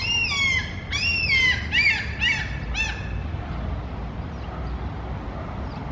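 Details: Mew gulls crying near food give loud, drawn-out descending mewing squeals, five in the first three seconds, then fall quiet, leaving a constant low rumble of background noise.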